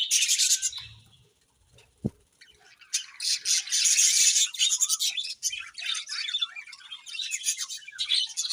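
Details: Budgies give loud, harsh squawks and rapid scratchy chatter, a brief click near the two-second mark, then sustained high warbling from several birds.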